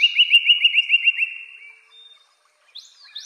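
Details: Northern cardinal gives a quick run of roughly eight bright, rising whistled notes that fade out, followed by silence and a brief higher slur at the end.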